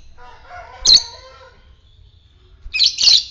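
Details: Lovebird of the fighter type, in the quick ngetik style, used to stir other lovebirds to ngekek; two harsh high squawks about two seconds apart over faint, steady, lower whistled tones.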